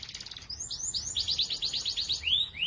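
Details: Canary in morning song, used to coax non-singing canaries to sing: a quick run of bright, sweeping upslurred-then-falling whistled notes, evenly spaced and rapid, ending with longer swoops; soft low rumble behind.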